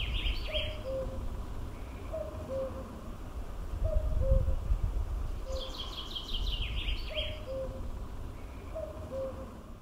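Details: Common cuckoo in Norway, recorded in 2019, gives its low two-note call, the second note lower. It repeats about every one and a half seconds, six times. Other small birds chirp higher up, and strong wind or rumble runs throughout.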